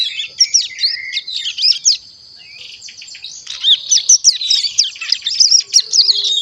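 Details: Young Javan sun-blue robin, about one month old, kept as a cage bird and practising its song (ngeriwik): a rapid high twittering of thin whistles and chirps with a brief pause around two seconds.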